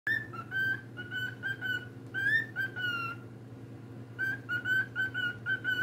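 A cockatiel gives clear, rich whistled notes in quick bursts, some rising and others falling.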